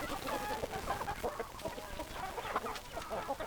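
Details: Many hens clucking together; a busy, continuous mix of short mid-pitched clucks and brief nasal notes from a crowded flock.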